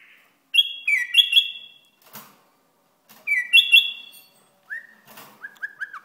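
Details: Iraqi bulbul giving rich whistled phrases, two similar descending-then-level warbles a few seconds apart, followed by softer lower rising notes; a brief click between phrases.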